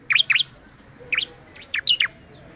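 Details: Bar-winged prinia giving short sharp chirps in pairs and singles, falling in pitch, separated by brief pauses over a low background hum.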